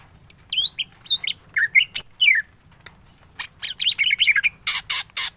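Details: Greater green leafbird, singing hard in ngentrok style, gives clipped whistled phrases separated by short gaps, then a dense burst of buzzy chattering notes and broad harsh rasps.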